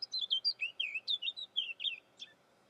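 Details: Eurasian blackcap giving a clear, fluty warble of about ten quick, slurred whistled notes that dip and rise. The phrase ends with a sharp upward note, then quiet.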